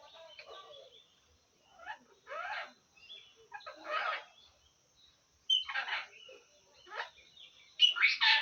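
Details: Pet parrot from Assam imitating speech, including Assamese phrases and hello. Scratchy, high, voice-like syllables come in short separate bursts, growing louder near the end, with thin whistled tones between them.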